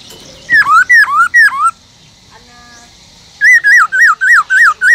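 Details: Caged Black-throated laughingthrush singing in a wild-style voice, used to spur other laughingthrushes to sing. Three loud whistles that dip then rise, a pause, then six quick wavy whistled notes in a steady run.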